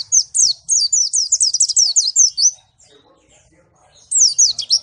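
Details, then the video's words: Malang white-eye in strong song: a rapid string of high, piercing slurred notes lasting over two seconds, a brief pause with soft faint chatter, then another burst of quick shrill notes. "pleci Malang suara mantap"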